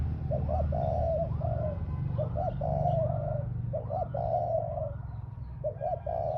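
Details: Spotted dove used as a ground decoy cooing steadily, about five phrases of quick rounded notes ending in a sustained mellow coo, with fainter coos faintly echoing behind and a low hum beneath.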